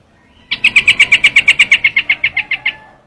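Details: Quick series of harsh chattering notes from a trao trảo bird, used for luring, about eighteen notes in two seconds, softening slightly at the end.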